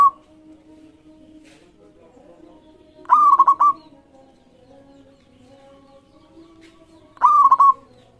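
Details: Lively local zebra dove singing for a lure recording meant to prompt rival birds to answer; two rolling, stuttering cooed phrases about four seconds apart, with faint steady humming tones underneath.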